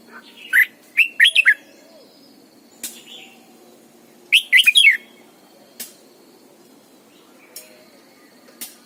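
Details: Caged decoy red-whiskered bulbul in morning song, double-note mature wild style. Two rapid phrases of four to five looping whistled notes, about four seconds apart, with scattered sharp clicks and soft chirps between them over a low hum.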